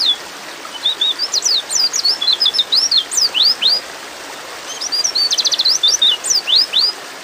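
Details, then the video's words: Female white-eye in breeding mood calling to a male: quick high chirps and rising and falling slurred notes, with a brief rapid trill, in two bursts separated by a pause, over a steady faint hiss. "terapi pleci bikin cepat ngalas"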